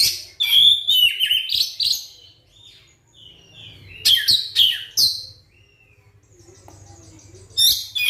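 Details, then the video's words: Shama song played to provoke other white-rumped shamas to sing, loud rapid phrases of whistles and harsh buzzy notes in three bursts, with quieter twittering between them and a low steady hum underneath. "suara pancingan kacer terbukti ampuh bikin kacer macet langsung on gacor bukor"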